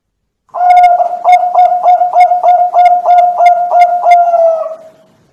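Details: A Bangkok-type zebra dove gives a low, soft cooing trill: about a dozen quick, even pulses on one steady pitch over four seconds, with nothing else audible.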